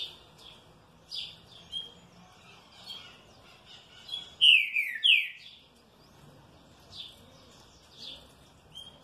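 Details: Green-winged saltator in good care replying happily. Sparse soft chirps lead to two loud, strongly falling whistled phrases in quick succession midway through, then more scattered quiet chirps.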